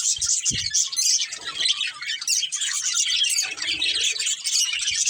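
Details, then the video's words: A breeding pair of budgerigars and their family fill the air with steady, high twittering and harsh little squawks, overlapping constantly, plus a few low knocks. "Cute Budgies Chirping Sounds"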